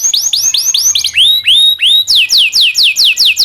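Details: Domestic canary singing training song: slower looping whistled notes sweeping up then down, a few long rising slurs, then a regular run of sharp descending chirps about four per second.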